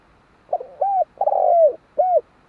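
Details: Spotted dove delivering a phrase of four low coos: a short soft note, a rounded coo, a long sliding downward coo, then a final rounded coo, in quiet surroundings.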